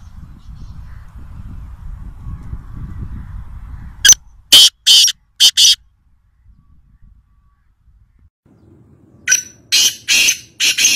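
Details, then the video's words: Wild black francolin, locally called kala teetar, recorded at Nawabshah, Pakistan: two bursts of harsh, grating, broadband notes, four or five in each, the first about midway through and the second near the end. A low rumbling background comes before them. "Kala Teeter Wild (Voice Only) | Black Francolin | Black Partridge"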